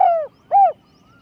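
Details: Spotted dove kept for decoy luring, described as having a small, high voice: two loud, smooth cooing notes about half a second apart, each gently falling in pitch, the second fuller, over a quiet background.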